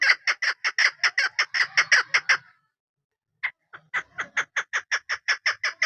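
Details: A female chukar partridge used as a hunting decoy gives about fourteen fast clucking notes, stops for roughly a second, then starts again with a rising run of similar chuk calls.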